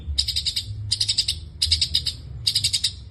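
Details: Long-tailed shrike 'gacor full isian' song in four separate bursts of rapid, harsh high chattering, each lasting about half a second with short gaps between.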